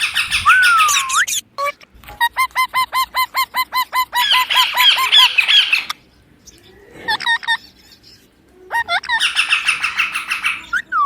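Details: Young Indian ringneck parakeet kept as a talking pet: a long sweeping screech, then a fast even series of clipped repeated notes, a brief quiet gap, and more rapid chatter.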